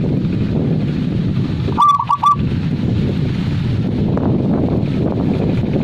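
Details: Single zebra dove phrase of three clipped cooing notes near the middle, set against heavy low wind-like rumble.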